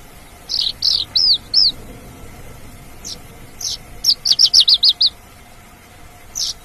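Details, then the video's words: Mongolian lark singing lively in the wild: short bright chirps in bursts, including a quick run of about six evenly spaced notes, separated by brief pauses, over a faint steady hum. "SUARA ASLI MONGOLIAN LARK GACOR DI ALAM"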